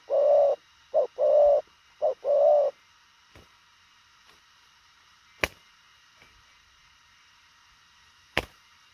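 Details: Spotted dove giving fast thổ khàng coos: three quick pairs, each a brief hoot followed by a longer sustained one, all within about three seconds. Silence follows, broken by two sharp clicks.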